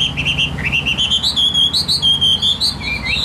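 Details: Vietnamese-kept Chinese hwamei, wild-caught adult, 'Tam Hoàng' type. It gives a steady chain of clear, high whistled notes, each short and evenly paced, with the pitch stepping gradually higher before dipping. A low background rumble runs throughout.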